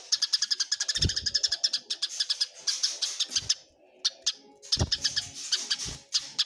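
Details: Fighting Eurasian tree sparrows give rapid, harsh chirps in tight bursts, a short quiet gap near the fourth second, then another fast volley with occasional low knocks.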